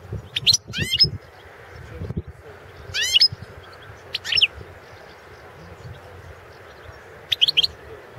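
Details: European goldfinch, subspecies Carduelis carduelis balcanica, in a Serbian entry to the 2016 world goldfinch song contest: scattered bursts of high buzzy twittering and chirps, interspersed with low thuds and handling noise.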